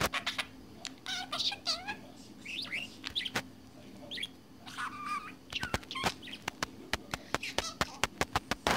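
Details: A pet budgerigar, absorbed in its own world, chatters on in a rambling stream of squeaky warbles, chirps and dry clicks, ending in a quick run of sharp ticks, over a steady low hum.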